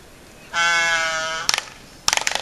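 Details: Laysan albatross giving a loud, nasal, bleating moan held for about a second, richly layered and slightly falling, followed by two bursts of rapid dry clattering clicks.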